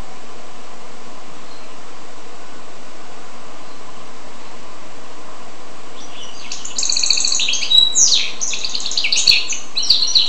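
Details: Quiet for over six seconds, then a goldfinch and canary hybrid breaks into a rapid, buzzy twittering song of dense high trills and chirps that continues to the end.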